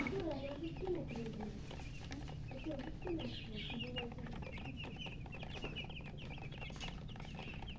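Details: Thirsty coloured poultry chicks wanting drinking water: quick, high peeps in clusters, densest near the end, with lower clucking notes in the first few seconds and faint voices in the background.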